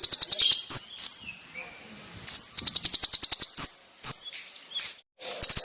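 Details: Konin bird song used as a training master: short bursts of rapid high trilling and single sharp whistled notes, spaced out by short silences, clear and loud.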